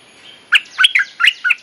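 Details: Bulbul singing a mate-calling phrase meant to train young birds: quick, liquid chirping notes in two rapid groups, bright and slightly warbled, with faint falling whistles behind.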